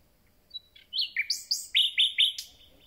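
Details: Common nightingale, just returned and beginning to sing, delivers a thin whistle, descending slurred notes, then four or five loud, emphatic repeated notes before a sharp final accent.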